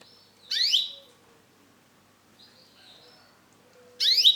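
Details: Male canary with orange and black plumage giving two bright, buzzy phrases that sweep steeply upward, about three and a half seconds apart, with faint thin whistles and a low hum between them.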